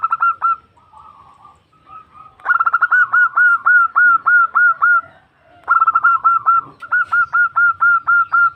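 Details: Female zebra dove calling a male, a local Indonesian bird used for luring: rapid staccato cooing notes in a short burst, then long runs of quick, evenly pitched coos with brief pauses and soft murmurs between.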